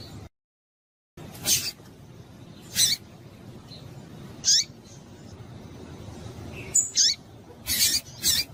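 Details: Calls of a female Rusty-collared seedeater, used to excite males to sing: brief high chips spaced one to two seconds apart, some paired, about eight in all, with faint background hiss after a short silent gap at the start.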